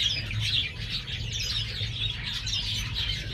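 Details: Newly fledged star finches, pure-bred and kept in captivity by a hobby breeder, keep up a dense, high twittering with short rising and falling chirps overlapping throughout, over a low continuous hum.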